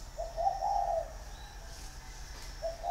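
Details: Large male spotted dove in a cage for six years, Ba Vì, Vietnam, 'giọng thổ' voice: one long, mellow, wavering coo phrase followed by a pause, then the start of the next.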